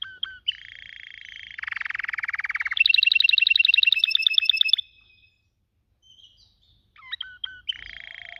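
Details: Canary song with clean, loud phrases: short whistles, a dense buzzy trill, then a bright rapid roll of repeated notes, a pause of silence, and scattered sharp upswept chirps.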